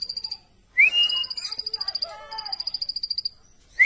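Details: Plain prinia: short bursts of rapid, high, pulsed notes break off between loud rising whistles. Lower warbling phrases overlap them.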